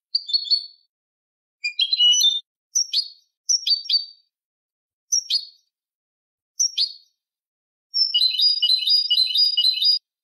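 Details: A Malagueño canary song from a training recording for teaching canaries, in separate high phrases: clipped sweet notes and drops, ending in a fast, even rolling trill of about two seconds, over a quiet background.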